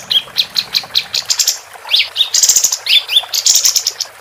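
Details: Female capped white-eye in full song, used as a tutor recording for competition songbirds: a fast stream of thin, high chirps mixed with quick upslurred whistles, becoming denser and buzzier in the second half.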